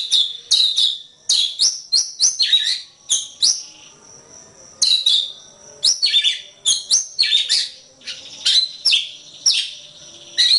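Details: Singing white-rumped shama for songbird training, strong bursts of high whistles and chatter, a pause midway, then renewed rapid phrases.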